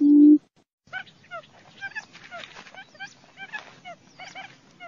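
Quail chirp over one another, with many quick, hooked peeps at high and mid pitch. A brief low hum opens the recording.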